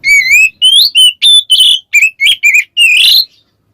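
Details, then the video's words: White-rumped shama in ngeplong song calling a rival: a rapid string of about nine loud whistled notes, rising slurs and wavering phrases, ending in a long rich rising note. "suara burung Kacer NGEPLONG memanggil lawan bikin Kacer lain EMOSI"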